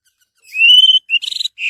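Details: Orange-headed thrush singing, meant as a lure for other birds: a long clear whistle rising slowly, then a brief whistle and a fast rattling trill, ending with a short slurred note.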